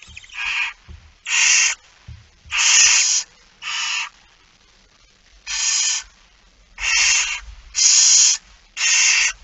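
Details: Barn owls begging during a 06:57 feeding on 13 September 2019, It Fryske Gea; short scratchy hissing calls, irregularly spaced with a longer pause midway, over faint rustling.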